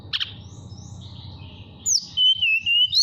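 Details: Caged mountain tailorbird in Purworejo, Central Java, singing nyuling to call a female; a brief chip, faint soft whistles, then a clear wavering pure whistle that rises at the end, over a low hum.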